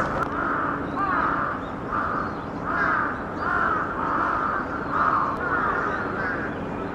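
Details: Several crows caw harshly in a steady run of overlapping calls, roughly one every second, while mobbing a little egret as a group in a Japanese garden in December 2017; low background rumble.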